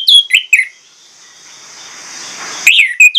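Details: An orange-headed thrush, played as a lure to spur other birds to sing, gives loud, clear, downward-slurred whistles in quick bursts, a pause with faint hiss, then another run of sharp high notes.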